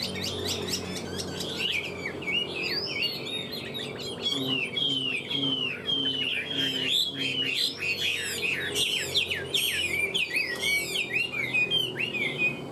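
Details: A tame captive Chinese hwamei sings a rich, continuous run of loud whistled and slurred phrases, rising and falling quickly, over a low steady hum.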